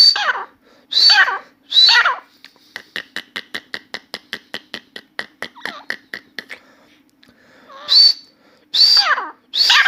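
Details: Grey francolin (Dakhni teetar) kept indoors in a room, a newly calling bird singing continuously: loud harsh rasping phrases about once a second, then a fast run of dry ticking clicks, then the harsh repeated phrases resume.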